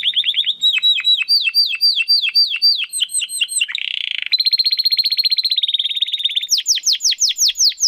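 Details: Crystal-voice song of a domestic canary for training contest birds: repeated downward-sweeping whistled notes, a harsh buzzy burst, then a steady fast trill and quick rising-falling slurs.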